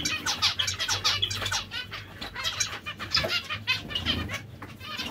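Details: Nasal, toy-trumpet-like notes from zebra finch breeding pairs tumble over one another in a busy, continuous chorus, with a faint low hum in the background.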